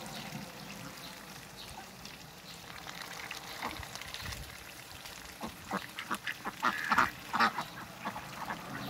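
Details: Pair of Muscovy ducks in a backyard: quiet background at first, then a run of short, rough, hissy calls repeated roughly every third of a second near the end.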